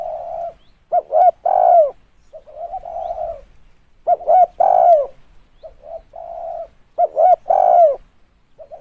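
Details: Spotted dove cooing, played as a lure: repeated phrases of short clipped coos leading into a drawn-out, slightly falling rolling coo, about three phrases over several seconds, no other sounds.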